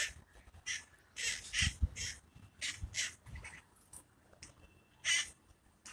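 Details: Free-living parakeets in San Francisco's hilly terrain during a mating ritual give repeated grating squawks, short harsh bursts spaced irregularly about every half second, over soft low thumps and outdoor hum.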